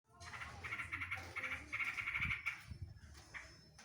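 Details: Yellow-vented bulbul song full of green leafbird 'tembakan drodot' phrases. A dense run of rapid repeated chattering notes holds a steady pitch, then breaks off into a few scattered chips.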